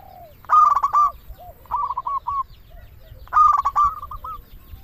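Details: Local zebra dove in active song: three staccato cooing phrases with a clipped opening burst and a quick rolling tail, the loud first and last phrases framing a softer answering phrase.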